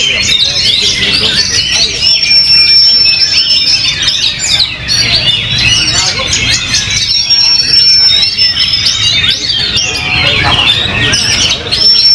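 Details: Oriental magpie-robin, a contest songbird on its first outing after moulting, pours out a dense, unbroken song of quick chattering notes and scratchy phrases, with long high steady whistles at intervals. Faint voices sound beneath it.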